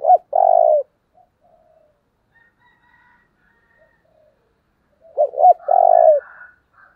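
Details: Spotted dove decoy calling to provoke wild birds. Two loud cooing phrases of short notes ending in a long burry coo, separated by about five seconds of near silence with faint distant whistles.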